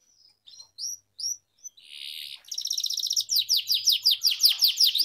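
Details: Atlantic canary during singing training, opening with a few spaced short chirps, then a buzzy hiss, building into a fast rattled trill and regular downslurred notes.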